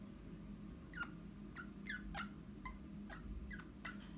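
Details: Captive pet Eastern rosella in a room, 29 January 2021: soft, brief downslurred whistle notes scattered through the clip, some in quick pairs, with faint clicks and a constant low hum behind.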